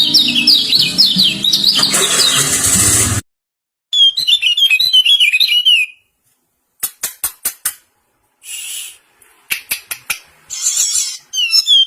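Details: Kecial, or common iora, in a singing face-off of pleci versus serkell birds: rapid high zigzag trills and warbles in stop-start phrases, broken by sharp clicks and brief silences, with a low hum under the opening.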